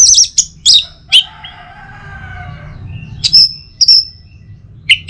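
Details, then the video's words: Morning song of an Orange-headed thrush from North Bali, meant to set other birds singing. Fast high chirps and a dropping whistle give way to a soft murmured stretch, then sustained thin whistles and a final chip. "Saatnya Buat ANIS MERAH NGEPLONG Gacor dirumah. Pancing dengan suara burung ini baik pagi hari."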